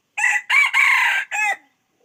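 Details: Loud crow of a red junglefowl in four bursts: a short rising first syllable, a clipped second, a long sustained third and a quick fading last note, then silence.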